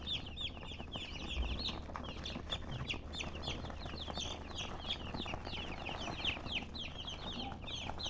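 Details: A crowd of colored chickens keeps up rapid, high, downward-slurred peeping, calls overlapping into a busy chatter, with low background noise and a brief thump.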